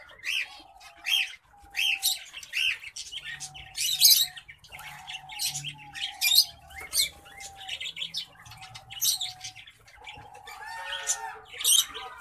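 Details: Male orange breasted black faced zebra finch kept with a female Isabel zebra finch; repeated harsh buzzy nasal notes and rapid chattering phrases, bursts every second or two, with a faint steady tone running underneath.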